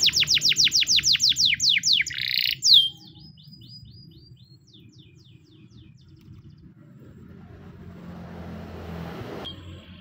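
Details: White Spanish Timbrado canary singing a training song: a fast train of high falling whistled notes, then a brief rattle, followed by near quiet with a faint low hum.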